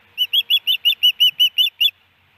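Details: Female osprey calling for her mate at the nest in Hellgate Canyon, Missoula, Montana, on May 18, 2019, recorded by a nest camera: ten quick, high, whistled chirps in a rapid, even series lasting under two seconds.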